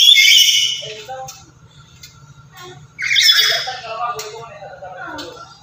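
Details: Two bursts of rough, strident squawking from an active, loud lory used to attract and teach other lories, separated by quieter chatter over a continuous low mechanical hum.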